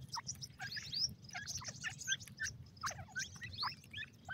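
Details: Feeding-time chirping from young grey francolins in captivity: rapid, high, thin twitters and brief rising and falling peeps, many overlapping and uneven in rhythm, over low background rumble.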